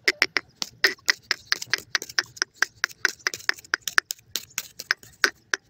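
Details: Calls of young francolin chicks, a busy stream of short, harsh clicks repeated about three to four times a second with slight faint background noise.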